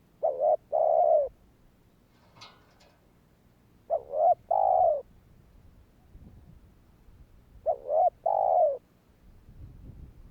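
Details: A spotted dove calls kích bổi-style to prompt other doves to call. A hoarse double coo and then a longer coo repeat three times, about four seconds apart, with a brief click between the first two phrases.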